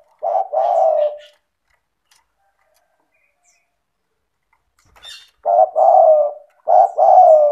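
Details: Lively spotted dove coos, meant to stimulate lazy doves to call: one two-part phrase, a long quiet gap with a faint click, then two more phrases, each a short note followed by a drawn-out mellow coo.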